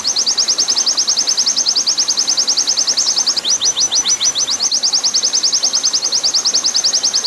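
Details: Training master of an oriental white-eye singing long 'nembak' song with water sounds behind: a continuous, very fast stream of thin high chirps, slowing for a few spaced, longer notes in the middle before racing on.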